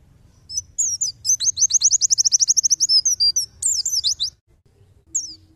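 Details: Tutor recording of white-eye song for teaching songbirds: high thin chirps accelerate into a long rapid trill of repeated whistled notes, then a jumbled twittering burst, a brief silence and a final short chirp.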